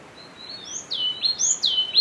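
Yellow-cheeked tit giving a quick run of high, thin whistled notes that slide down and up, several in two seconds, with faint background hiss.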